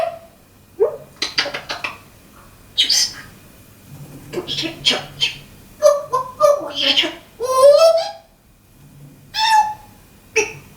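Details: Pet African grey parrot talking and making funny sound effects indoors: a run of varied squawks, clear whistled tones and speech-like bursts, some sliding downward, with short pauses between, in a small room.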